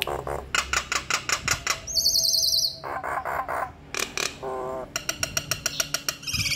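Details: Nias hill myna in full song, a varied medley of loud rapid repeated clicks and knocks, harsh buzzy stretches, and high nasal whistled phrases with a strong tonal ring.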